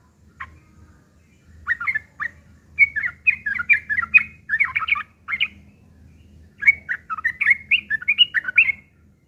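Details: Fighting song of a yellow-vented bulbul, harsh and chattering, played to provoke other birds into answering: clusters of quick scratchy slurred notes in two long phrases with a pause, over faint low-pitched background noise.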